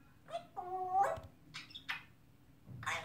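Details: Pet African grey parrot, a 3.5-year-old male that has learned to say "I love you", giving a few short speech-like syllables with one held, tonal middle note, spaced over about three seconds in a quiet room.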